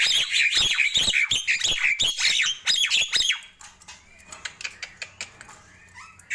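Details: Nias hill myna in the morning: a steady string of strong squawks and downslurred whistles, then fading to scattered faint clicks and soft notes.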